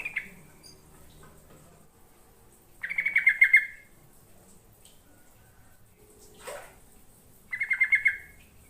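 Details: Yellow-vented bulbul song for luring birds: fast chattering phrases of pulsed notes recur roughly every four to five seconds, with a short rising sweep heard between two of them.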